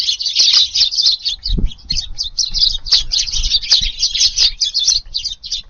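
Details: In a garden on a windy 18 July evening, feeding Eurasian tree sparrows keep up a lively stream of short, high chirps in rapid clusters, with occasional soft low knocks beneath.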